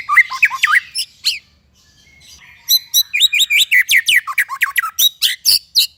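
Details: White-rumped shama singing a varied song of loud whistled and chirping phrases, sweeping notes mostly high-pitched, a brief pause mid-way then a fast run of repeated sharp notes.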